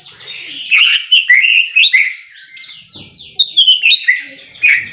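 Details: Lively song of a White-rumped shama: a dense tangle of high twittering and slurred whistles in short rushing phrases. Faint quiet stretches fall between the phrases.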